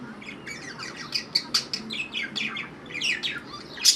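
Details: A pair of pet budgerigars chirp in quick, scratchy bursts, a busy stream of high warbled twitters.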